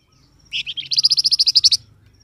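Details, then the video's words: Flamboyan bird calling, used to draw wild birds into answering: a quick rattling run of about fourteen sharp, bright ticking notes, rising in strength and lasting just over a second, against near silence. "SUARA BURUNG FLAMBOYAN, DIJAMIN LANGSUNG NYAUT BUNYI"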